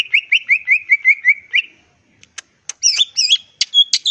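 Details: Greater green leafbird in lively full-isian ngentrok song: about ten fast downslurred whistled notes in an even row, a short pause, then varied chips and twisting warbled phrases.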